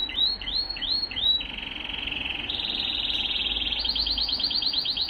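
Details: Male Timbrado canaries singing, 2023: a run of repeated upslurred whistled notes, about four per second, gives way to sustained rolling trills that step higher, ending in rapid pulsing repeated notes; faint low background hum.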